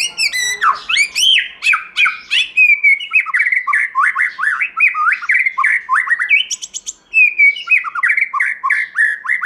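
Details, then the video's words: Continuous forest-style song of a white-rumped shama: a long rapid stream of loud, varied slurred whistles and chattering notes, several per second, with a brief high buzzy burst midway. "Chòe Lửa Hót Giọng Rừng"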